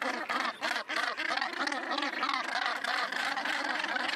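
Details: Dense, overlapping raspy croaks of Northern gannets at a cliff nesting colony on Helgoland repeat steadily at about three per second.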